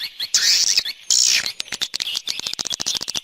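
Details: Swiftlet external sound for a swiftlet house: two loud, harsh buzzy chirping bursts in the first second and a half, followed by a quick run of short, dry, clicking twitters that get softer and more rapid.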